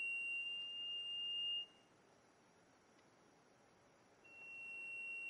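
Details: Black-and-gold cotinga (Lipaugus ater) at Serra do Mar State Park, Cunha, Brazil, in 2004, gives a long, pure, steady high whistle of about a second and a half, then begins again after a pause, over faint background hiss.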